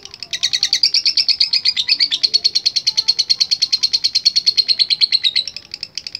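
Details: High, rapid ngekek trill of a lovebird in full voice, a machine-gun-like string of piercing notes lasting about five seconds before trailing into a few separate chirps.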